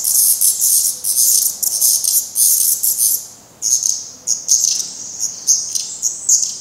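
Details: Young black redstarts, already trying to fly but still downy and fed by parents at the nest in Portugal, make loud high rasping bursts, then thinner scattered squeaks after a brief lull.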